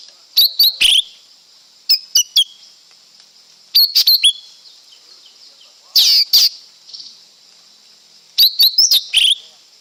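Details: Lesser green leafbird delivering repeated bursts of rapid, high, squeaky and slurred whistled notes roughly every two seconds, some harsh and loud, over a continuous high-pitched insect hiss.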